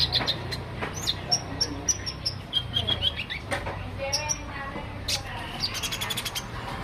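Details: Olive-backed sunbird (konin) in lively daily song: thin, high chirps and short sharp notes, some in quick clusters, scattered through the recording over a steady low rumble of background noise.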